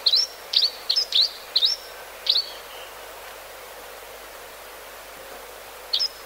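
Grey-hooded sierra finch giving short, high, slightly upslurred chips, six in quick succession then one more after a pause, over a faint background hiss.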